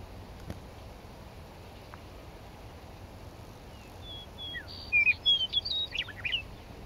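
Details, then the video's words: Meadowlark in a Lethbridge coulee, May 9, 2014. After quiet background hiss, a flute-like phrase of sliding whistles builds into a loud, rapid, gurgling run of notes near the end. "meadowlark song"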